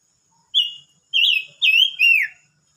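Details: Silver-eared mesia singing, recorded 25 May 2022: a short, steady high whistle, then three loud, clear whistled notes in quick succession, the last one sliding downward. The background is quiet.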